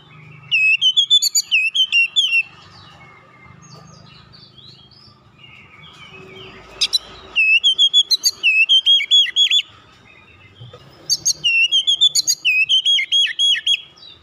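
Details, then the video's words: Oriental magpie-robin basic song with tight rolling: three bursts of rapid, looping whistled notes, each lasting about two seconds, with quiet gaps and faint low rumble between. "KICAUAN DASAR KACER NGEROLL RAPAT"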